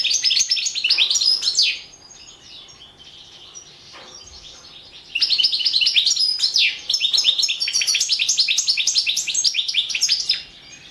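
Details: European goldfinch competition entry recorded for an online world singing championship: rapid twittering song of high chirps and trills, one burst lasting nearly two seconds, a brief pause, then a longer, louder five-second run of fast notes.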